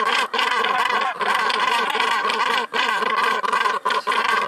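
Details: Northern gannets at a breeding colony on the steep coast of Helgoland, Germany: a dense, continuous chorus of harsh, rasping, overlapping calls with rich harmonics, broken only by a few brief dips in loudness.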